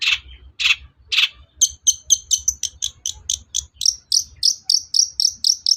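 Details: Long-tailed shrike recording meant to stir rivals into song: three harsh rasping notes, then a fast steady series of sharp, high, clipped notes, roughly four per second, over a low hum.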